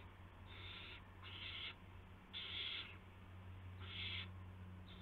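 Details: Midnight nest recording from March 19, 2016, with parent owls delivering mice and a gopher to owlets. Four harsh, breathy screeches in uneven spacing, two close together, then two more, over a steady low drone.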